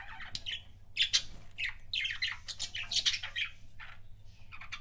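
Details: Budgerigar giving kissing sounds: lively bursts of squeaky, scratchy warbling in uneven clusters, peaking in louder squeals around the middle, over a soft low hum.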